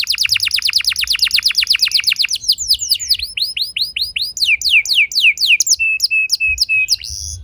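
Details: Canary singing in long rolls meant to set other canaries singing: a rapid high trill of repeated notes, then slower swooping whistles and sharp chips, all clear and uninterrupted.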